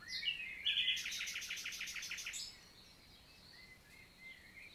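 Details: Common nightingale in a Lot valley forest, France, singing on a summer morning: a short introductory note, then a fast pulsing rattle of repeated notes lasting over a second, followed by soft distant phrases.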